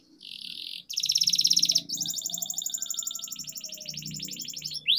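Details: Long rolling canary song used as a training recording: sustained fast trills changing pitch and speed, nearly continuous for five seconds, with faint low background hum.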